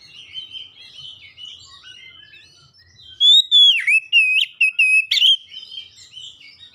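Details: Oriental magpie-robin singing to spur other magpie-robins, including those kept at home, into song. Quiet varied twittering gives way to a burst of loud, ringing whistles with quick slurred notes and sharp chips, then soft warbling again.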